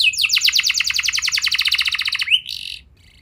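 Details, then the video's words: Canary song played to encourage young canaries to sing: a loud, rapid trill of evenly repeated notes for about two seconds, then a rising slide and a short buzz before it goes quiet. "Pancingan Burung Kenari Muda"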